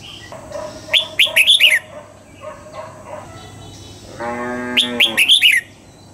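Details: Double-note wild-style song of a red-whiskered bulbul at morning, used as a training recording: two phrases of clear slurred whistles. Soft lower chirps come between them, with a brief buzzy, harmonic-rich sound just before the second phrase.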